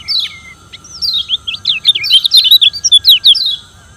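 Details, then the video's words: Yellow white-eye (kecial kuning) from Lombok, Indonesia, giving a challenging song meant to provoke rivals: a dense, fast twittering run of high, bouncing slurred notes that builds in loudness over about three seconds, with a steady low electrical hum beneath. "Kecial Kuning Suara Menantang Ampuh Bikin Lawan Ribut dan GACOR"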